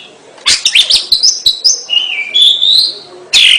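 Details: Oriental magpie-robin (kacer) singing gacor style: a burst of sharp chips opens into a sequence of sweet whistled notes, some held and wavering, ending with a harsh scratchy note.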